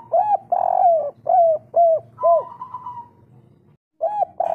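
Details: Local spotted dove in kuk 3 style, voiced to spark breeding drive in other doves: five loud rounded coos in rapid sequence, a higher trailing trill, a brief silence, then coos resume.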